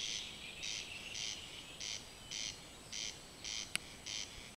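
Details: A corn crake (Crex crex) singing at night, unseen, gives its dry, rasping crex-crex, harsh double notes repeated about twice a second, with one sharp click partway through.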